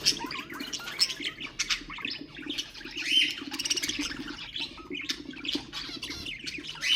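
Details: Pet budgerigars chatter and warble nonstop, mixing scratchy squawks, thin whistled notes and quick chirps in an unbroken flow, used to encourage other birds to sing; faint low hum behind.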